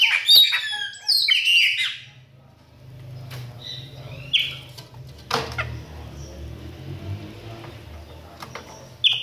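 Chopi blackbird gives a quick burst of clear, varied whistled notes, then sparser single phrases, over a steady low hum and scattered clicks.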